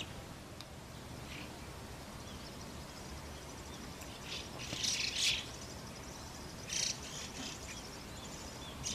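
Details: Harsh, broadband rasping bursts from white-cheeked starlings tending chicks at the nest, two main outbursts a couple of seconds apart, separated by quiet hissing background.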